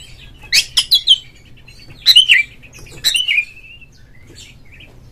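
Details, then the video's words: Oriental magpie-robin (kacer) in ngeplong, ngobra style, sung to prompt other magpie-robins to sing: bursts of sharp high chips, then slurred whistles rising and falling, a long wavering whistle near three seconds, over a faint low hum. "suara panggilan Kacer NGEPLONG nge-play Ngobra GACOR bikin semua JENIS BURUNG KACER ikut GACOR"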